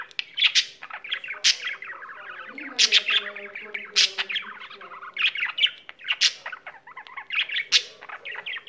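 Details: A pet budgie pouring out continuous chattering song, rhythmic loud chirps roughly every second over softer rapid warbling and clicks.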